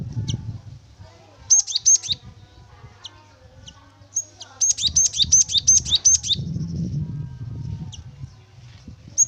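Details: Javan munia song meant as a lure to get the bird singing: scattered high chips and two bursts of rapid, bright rising whistled notes, over intermittent low thumps and rumbling background noise.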